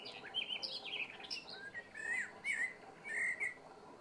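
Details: Common blackbird singing a calm, unhurried evening song: high squeaky twittering opens the phrase, then clear mellow fluted notes repeat with short pauses over faint background hum.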